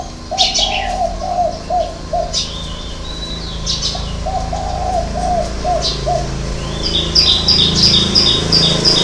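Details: Spotted dove singing the six-note 'hậu 3' coo: two low, hollow phrases in the first six seconds, then a rapid chirping series from another bird near the end.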